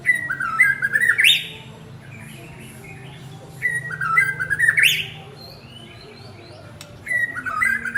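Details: White-rumped shama male calling to his partner, repeating a whistled phrase ending in a sharp upward sweep about every three and a half seconds, with a low hum behind.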